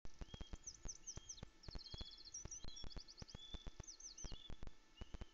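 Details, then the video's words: Male osprey at Loch Arkaig nest, 16 April 2021, about 17:33, gives thin, high whistled sky-dance calls in quick rising-and-falling runs off camera, then lands on the nest with a trout; sharp knocks and wind buffeting. "Osprey skydances in vain before landing with his fish"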